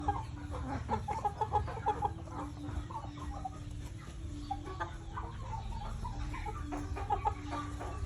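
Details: Breeding-stock chickens clucking in short, repeated bursts that overlap from several birds, with a steady low hum running underneath throughout.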